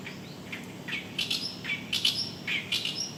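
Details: Oriental Reed Warbler singing loudly in reed beds at Kitamoto Nature Observation Park in early summer, after arriving as the reeds grow tall. Its 'gyogyoshi' phrases come as harsh, scratchy bursts of a few notes, separated by short pauses, over a steady low hum.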